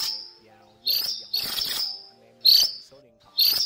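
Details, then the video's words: A large white cuckooshrike, a male, calls to its flock with harsh, high, scratchy calls in four short bursts, roughly one every second, over a faint low steady hum. "Tiếng Chim Phường Chèo Trắng Lớn , Chim Chèo Bẻo Trắng Đầu Đen Gọi Bầy"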